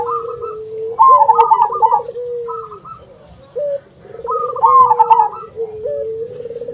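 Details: A local zebra dove (perkutut), described as a male calling and singing, gives soft, rhythmic trilled coos in repeated phrases, with a puter dove's lower cooing mixed in.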